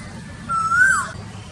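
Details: Asian koel uttering a single whistled note that slides slightly upward and then falls away, against low background rumble.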